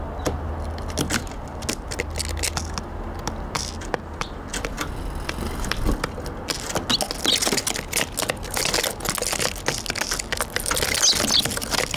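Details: Dry crackling and crunching noises fill the recording, with a low hum early on and no clear animal calls.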